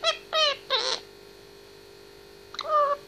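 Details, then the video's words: Grey parrot, 18 months old, kept indoors as a pet, talking and singing: several short tonal syllables with rich harmonics, a pause of over a second, then one more drawn-out sliding word in a quiet room. "Indy talking 18mths old"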